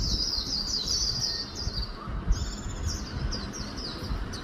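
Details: Swinhoe's white-eye singing a fast song of the style called 'líu cựa đuôi pha chòe': a rapid, continuous high-pitched twittering warble of thin sliding notes, broken by a short pause midway, over a steady low rumbling background noise.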